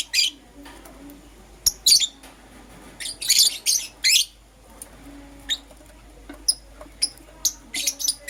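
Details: Morning chirping from pet lovebirds, Euwing green opaline and lutino: clusters of harsh, high squeaky notes, some run together into brief chattering bursts, others single and separated by quiet stretches, over a faint low hum.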